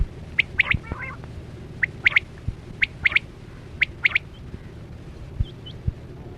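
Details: Quail call played as a lure for netting in the 2024-25 hunting season: evenly spaced triplets of sharp, high whistled notes, about one phrase a second, with a soft hum and faint distant chirps.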